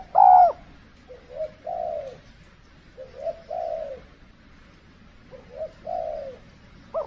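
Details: Spotted dove used for decoy trapping in extreme cold-season weather, when the birds are less bold; a loud opening coo, then three soft phrases of a short note plus a longer falling coo, evenly spaced.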